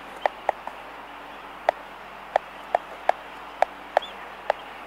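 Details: Laysan albatross in a colony, recorded close up, giving sharp, hollow clicks, about ten in five seconds at an uneven pace, over a steady background hiss.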